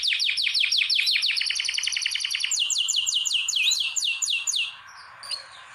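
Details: Canary song from a breeding room housing canaries being prepared for mating: quick repeated downslurred notes, then a rolling trill, then louder sweeping notes, fading to quiet at the end.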